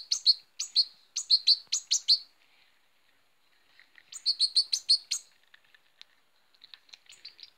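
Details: Baby goldfinch, hand-reared in 2018, calling during feeding: two runs of fast, high, piercing cheeps, each run of about six to eight notes, separated by a brief lull, with softer chirps trailing at the end.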